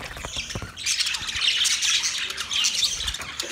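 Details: Budgerigars during mating, giving dense, high-pitched chirps and squawks that run in rapid bursts, with a few lower clicks and taps early on.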